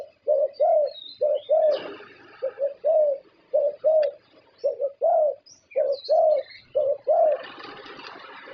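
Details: Champion zebra dove from Thailand, winner of prestigious competitions and kept for contest singing, delivers a long series of low, mellow cooing notes in short groups, the phrases repeated steadily for over eight seconds, with faint chirps from other birds behind.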